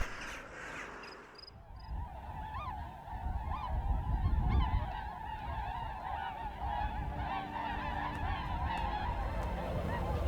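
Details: Geese in Anatolia in winter honking in a steady, overlapping chorus of nasal calls, several per second, with a low rumble of wind or distant noise beneath.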